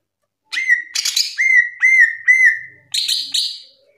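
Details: Loud ngerplong gacor singing from a cucak ijo, the green leafbird. Mostly a series of clear whistles that dip and flatten, repeated about twice per second, between short buzzy bursts.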